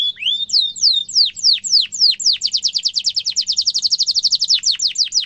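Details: Canary singing a sharp rolling tutor song meant for young canaries to learn: a low upslurred whistle, falling sweeps, then a long, very rapid high trill that speeds up and slows again.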